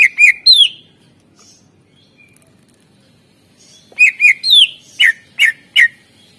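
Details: Greater green leafbird, 'isian' master song for coaxing quiet birds: a quick whistled phrase ending in a falling slur, a pause, then a longer run of clear notes and several sharp downslurred chirps.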